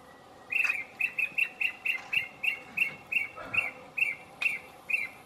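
Lesser ground cuckoo giving a steady series of about fifteen short, bright, mid-pitched notes, roughly three per second, over faint background hiss.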